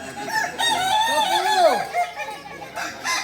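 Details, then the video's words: Native Solok singing chicken, Kukuak Balenggek breed, training for crowing performance: a drawn-out rooster crow that rises and bends downward in a curving arc, with other roosters crowing faintly underneath. "Latihan prestasi Ayam kukuak balenggek ayam penyanyi asli Solok"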